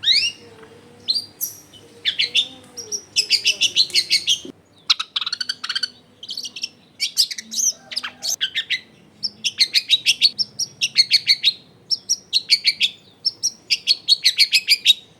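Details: Long-tailed shrike in full continuous song, used as a lure for other shrikes, recorded in a densely populated home area: long stretches of scratchy, chattering note clusters repeated rapidly, with brief gaps between phrases.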